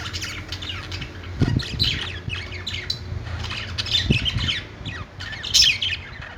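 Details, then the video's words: Budgerigars perched in a pet store, a busy flock of overlapping harsh squawks and high chattering chirps, with louder bursts every couple of seconds and some low knocking in the background. "budgies singing on perch | parakeet chirping sounds in pet store"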